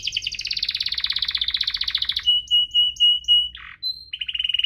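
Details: Gacor canary song for prompting lazy canaries: a long rapid pulsed trill, a run of steady whistled notes with short chips, a brief rough burst, then trilling again.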